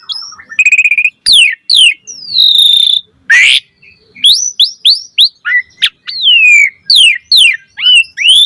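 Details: Asian pied starling singing full 'gacor' ocehan as a lure: a buzzing rattle, rising whistled slurs, a long falling whistle, a harsh noisy rasp, then a fast string of upward-swept whistles and chirps.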